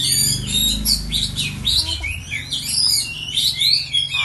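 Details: Oriental magpie-robin kept as a songbird: high, varied chirps and short whistled notes in quick succession, with a low steady hum underneath.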